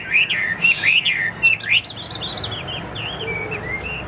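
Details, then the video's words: A caged Hwamei in competition display sings loud slurred whistles that fall away into softer, scattered looping notes as the phrase fades. "Đã bay - HM 1997 - Đầu mặt cực - Đẹp đấu xòe chất giọng cực hay"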